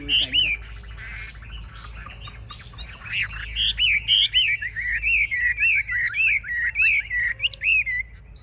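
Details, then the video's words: Chinese hwamei, a caged fighting bird displaying with raised wings and spread tail, sings a fast series of loud looping whistled notes, repeated almost four times a second, over faint background noise. "Họa mi chơi cánh cao đuôi xòe"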